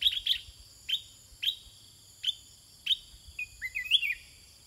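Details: Sooty-headed bulbul kept in a cage, answering wild birds with song: sharp downward-slurred notes spaced about half a second apart, ending in a quick warbled twisting phrase, steady high ringing tones in the background.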